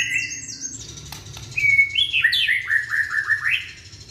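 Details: Indonesian young white-rumped shama whose song serves to set off quiet shamas: high whistles and a few clicks, then a lively series of rising and falling whistled notes.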